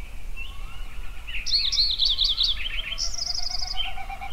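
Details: Songbirds singing at sunrise at Yellowstone: several overlapping voices, with high sharp chirps, rapid trilled bursts from the middle onward and a bright buzzy trill near the end, over faint low rumble.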